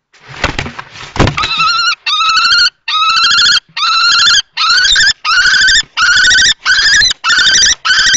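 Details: Common kestrels at a nest box in Théding, France, 20 March 2024: an adult male confronts a young male in juvenile plumage, with a female present. A couple of thumps open, then harsh harmonic kee notes repeat about every 0.6 seconds.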